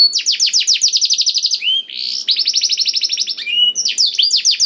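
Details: Black-throated canary song, used as a tutor recording to get other canaries singing quickly and actively: rapid series of high downslurred notes, a brief lower whistled phrase, then further fast repeated trills.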